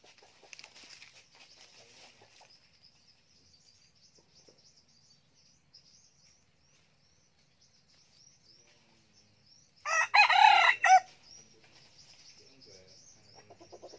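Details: Decoy red junglefowl, a young cock that crows often, gives a single harsh, layered crow of about one second after a long near-silent stretch with a faint steady insect hum and light rustles.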